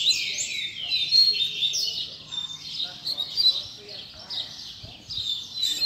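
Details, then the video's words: Rusty-collared seedeater tutor song for young birds to learn, with rapid high twitters and downslurred whistled notes strung together in an unbroken, lively stream. "COLEIRO PROFESSOR APRENDIZADO"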